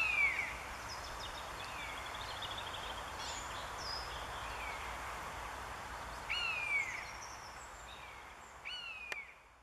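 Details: Three Common buzzards flying and calling over a pine forest in Northern Germany on 10 April 2015, giving drawn-out, downslurred mewing calls, one at the start and two more after six seconds, over faint small-bird chirps and outdoor hiss.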